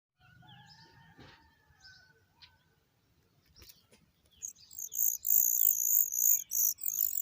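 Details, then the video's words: Oriental magpie-robin parent feeding its chicks; after faint, scattered chirps early on, a loud burst of high, harsh, rapidly repeated begging notes erupts midway and continues in pulsing bursts to the end. "Oriental magpie bird feeding the babies"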